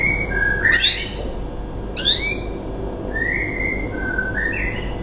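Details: Untrained young canary singing rough 'riwikan', meant to draw other canaries into copying: two quick clusters of descending high notes, then drawn-out whistled tones, against a continuous hiss.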